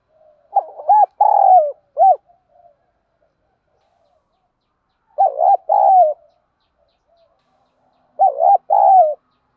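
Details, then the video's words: Spotted dove in 'thúc gù' and 'gáy gọi' calling, used daily to stimulate trained decoy doves. Three low cooing phrases spaced about four seconds apart, each a quick stuttered pair of notes then a longer coo. The first phrase has an extra trailing note. "chim cu gáy thúc gù & gáy gọi, cu gáy giọng đồng, gù thúc, tiếng đồng gáy gọi"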